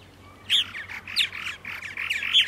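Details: Purple martins recorded on a spring morning, 14 April 2012 at 8:30, in Center Moriches, Long Island, New York: close, loud croaking and gurgling chatter in quick bursts, rich rolling notes with a few sharp high squeaks.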